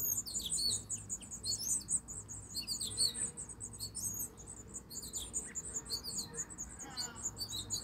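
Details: In Michigan, house finch young being fed call in dense clusters of high, thin cheeps and squeaks, with brief gaps between the bursts.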